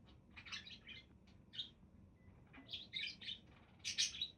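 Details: Scattered high, squeaky budgie chirps and short scratchy warbles, growing denser and louder toward a sharp burst near the end.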